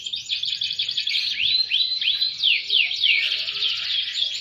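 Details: Canary singing in the gacor style with melodious cengkok phrasing: a continuous high trilled warble broken by a run of falling, swooping whistled notes, then a renewed fast trill.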